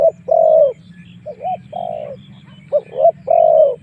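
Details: A spotted dove gives decoy coos to attract wild doves into fighting: long steady coos broken by short wavering notes, with a faint high whine and a low hum behind.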